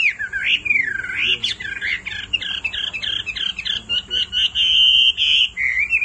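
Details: Hwamei, a female calling repeatedly to get the male singing: looping whistled notes, then a rapid, tightly spaced series and a long steady whistle, with faint lower murmuring underneath.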